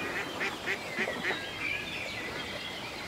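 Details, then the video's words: Lakeside ducks in the country. Five short, clipped nasal quacks come in a quick even row, then fade into softer chatter and a drawn-out whistled note from another bird. "A Peaceful Day in the Country with Ducks Ambience"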